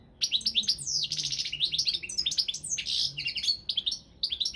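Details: European goldfinch, Carduelis carduelis balcanica, a competition songster in an internet world championship: energetic twittering song mixing sweeping slurred notes and harsh buzzy trills, delivered almost without break.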